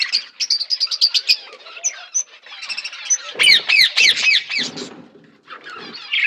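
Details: Pet budgerigars in a flock while eating food. Quick bright chirps repeat in short bursts, followed by a cluster of louder rising and falling squawks, then softer chatter.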